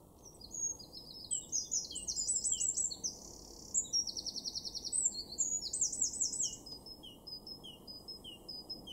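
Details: Great tit in a garden in Weener, East Frisia, northwest Germany, in March 2024. It gives high, thin chirps and quick buzzy trills in bursts, with other small birds calling over a steady low background hum.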